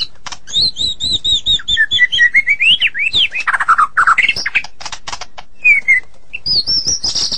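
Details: White-rumped shama singing in the morning: a rich, varied song of clear whistled notes, falling slurs and rising phrases, broken up by sharp clicks and dry rattles.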